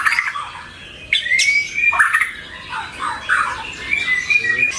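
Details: White-rumped shama song used as a lure and tutor recording for pet birds. Varied, loud phrases mix harsh squawky notes with sustained whistled tones and abrupt broadband bursts.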